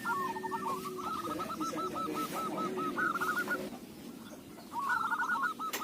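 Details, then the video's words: Local zebra dove suited as a lure, delivering a long rolling string of soft, rapid cooing notes, a short pause, then another quick burst of coos over a noisy background. "Perkutut lokal suara cocok buat pancingan"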